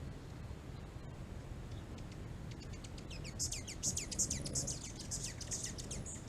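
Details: Hummingbird in California giving a fast run of thin, very high chips, each a short downward-sweeping tick. They start sparse, then come densely from the middle onward, about three per second, over a steady low rumble of background noise.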